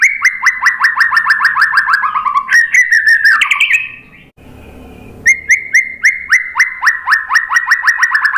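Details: Fast rattling series of repeated upslurred whistles from a white-rumped shama, a brief pause with soft rustle, then the rapid repeated notes return; lure song meant to provoke answering.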